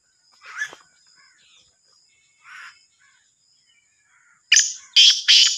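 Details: Sindhi black francolin from Sahiwal, heard as a loud burst of three harsh, rasping notes near the end. Faint scattered chirps of other birds come before it in an otherwise quiet setting.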